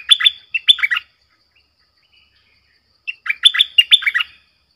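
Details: Streak-eared bulbul used as a lure to call wild birds, with wild birds replying in 'sap dok' and 'rik' calls; two lively bursts of loud, sharp, chattering notes with a two-second pause between.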